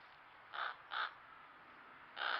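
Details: Backyard crows in Nova Scotia, Canada, recorded on a trail camera, give three short harsh caws, two close together and one after a pause, over steady background hiss.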